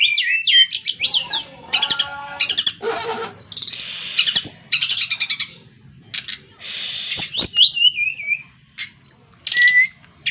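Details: Brown-chested jungle flycatcher in a varied, energetic song: high whistled phrases falling from about mid to high pitch, buzzy trills, rapid stuttered chirps and a long descending wavy whistle near the end, with short pauses between bursts.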